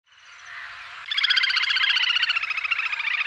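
A little grebe gives its high, rapid whinnying trill: fast, even, bubbling notes that run on for about two seconds after a soft, hissy start.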